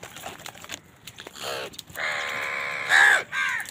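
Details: Crows on a winter morning, in a flock that fights wild birds for food, give loud, harsh, hoarse caws: brief rasps, then one long drawn-out caw lasting about a second, followed by shorter, louder caws.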